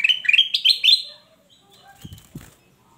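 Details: Male kutilang emas in full, energetic song: a fast run of clear, bright whistled notes climbing in steps over about one second, then quiet with a few dull knocks and clicks.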